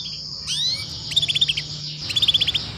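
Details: Female canary chirps prompting young canaries to sing; a rising upswept call followed by two rapid series of about eight evenly pulsed bright notes, over a constant thin high buzz.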